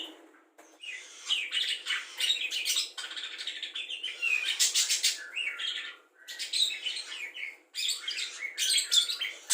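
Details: Budgerigar singing borrowed phrases of cucak jenggot, kapas tembak, lovebird ngekek and quarrelling sparrows; long, jumbled chatter of buzzy trills and squeaky chirps in uneven bursts separated by short gaps.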